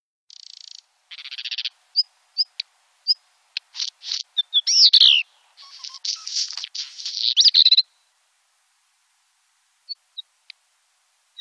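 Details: Black redstart in the Wittlicher Tal, 2018: high whistled notes and short ticks, then a dense scratchy crackling burst with sweeping whistles, ending in a few sparse ticks.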